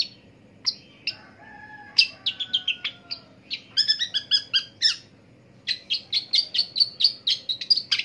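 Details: Long-tailed shrike calling in the morning: a quiet low hum underneath bursts of harsh, scratchy notes, some rapid chattering runs and short separated chips, repeated over several seconds.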